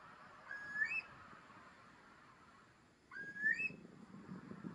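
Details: Eurasian curlew, wild, Deggendorf district in Lower Bavaria, Germany, critically endangered on the Bavarian Red List. Two separate whistled calls about two and a half seconds apart, each rising into a short upward flourish, with low background rumble.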